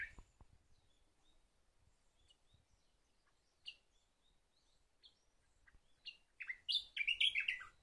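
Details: Sakhalin grasshopper warbler, faint thin high notes at first, then a loud quick burst of chirpy tumbling notes near the end, over quiet background rustle.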